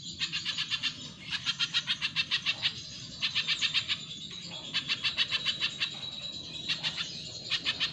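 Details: A spiderhunter sings for training other cage birds: fast trains of bright, sharp, high chirps in bursts of one to two seconds, separated by brief gaps, with low hum throughout.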